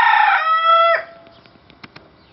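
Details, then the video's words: Bantam rooster in Italy finishing a crow: a loud, rich, level tone ending with a downward drop at one second, followed by quiet with faint clicks. "cock crowing"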